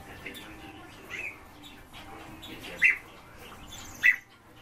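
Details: Caged azure tits during nesting; two short, sharp chirped calls stand out about a second apart, with a few fainter chirps earlier, over a steady noisy background.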